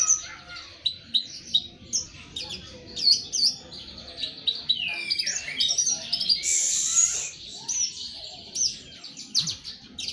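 A Javan bush lark practices its song: a steady, high, jumbled stream of quick chirps, trills and thin whistles with no pause.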